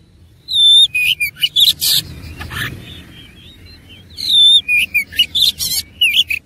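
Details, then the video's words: Fighting oriental magpie-robin (kacer) delivering an energetic song with rich isian fill-in: two long runs of sharp whistles, trills and harsh chatters, split by a softer pause with faint rustling. "KACER ISIAN MEWAH NGOTOT GACOR TARUNG"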